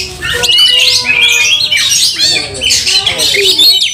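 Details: Oriental magpie-robin in fighting mood, agitated with tail spread, said to provoke other magpie-robins into fiercer display; loud, dense song of sharp whistles and rapid buzzy chatter, with a steady lower whistled tone underneath.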